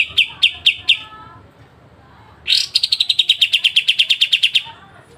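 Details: Very clear pied triller song with sharp 'besetan' strokes, used to train songbirds: a few high chips, a pause, then a harsh burst launching a fast, even chain of crisp, slightly descending notes.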